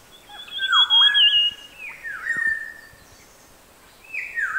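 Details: A Maroon Oriole sings along Kaker Walk, Nainital, in the Himalaya: loud, fluty whistles slurring steeply downward in two or three quick phrases, with faint high chirps from other birds behind.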